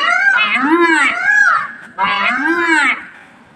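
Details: Peacock calling while dancing, giving two loud, harmonic, wailing cries, each swelling up and then falling in pitch over about a second, separated by a short gap.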